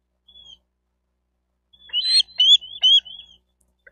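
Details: Bald eagle at a nest in Miami-Dade County, Florida, picked up by a nest camera on 28 May 2023: one thin whistled note, then a quick run of high, chittering, piping notes that rise and fall.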